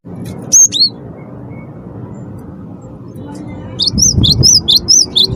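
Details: A gacor wingko cinereous tit, its song used to coax other birds to sing: two high notes at the start, a long quiet stretch of low hum, then a fast closing run of sharp, repeated whistled notes.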